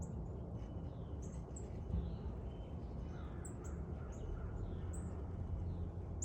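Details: Bird chirping outdoors, with short high chirps repeated every second or so and a few softer downslurred notes beneath, against a strong steady low hum of background noise.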